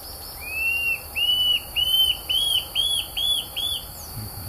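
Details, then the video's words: Tufted antshrike, a wild bird that is very hard to observe: a series of about eight clear whistled notes, each rising then falling, repeated roughly twice per second over a steady high hiss, with a voice briefly at the end. "Canto da Borralhara"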